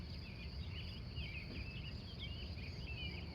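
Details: Early-morning wild birds in Glendive, Montana, USA, recorded live from 3:45 a.m.; quick squeaky warbled phrases follow one another without pause over a constant low background hum.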